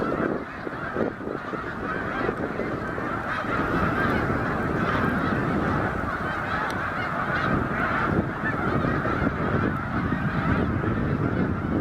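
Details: Thousands of wild snow geese gathered in autumn at the public beach on the St François river, Drummondville, Quebec, 10 November 2012: a dense, unbroken roar of overlapping honks from the massed flock.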